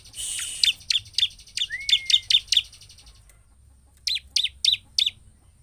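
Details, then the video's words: Bar-winged prinia song used to provoke other birds: a run of spaced, sharp high chirps and a brief rising whistle, a quiet pause, then four more evenly spaced chirps. "Ciblek gacor untuk pancingan ciblek agar emosi dan cepat ngebren"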